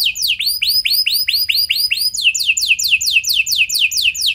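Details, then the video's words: Canary singing a lure song in the 'cengkok mewah' style with long trills, to prompt other canaries: arched whistled notes about four a second, then a quicker series of sharply falling strokes. "Pancingan Kenari Cengkok Mewah Nembak Panjang"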